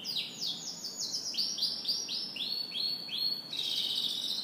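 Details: In the morning a canary delivers a lively song of rapid high chirps slowing into evenly spaced, repeated swooping notes, ending in a dense sustained rolling trill.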